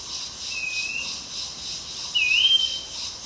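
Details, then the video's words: Streaked wren-babbler (Gypsophila brevicaudata) at Fraser's Hill, Pahang, Malaysia, June 2023, calling: a clear high whistle sliding up then holding steady after a fainter earlier note, over a steady hiss of insects. "Streaked Wren Babbler call song sound"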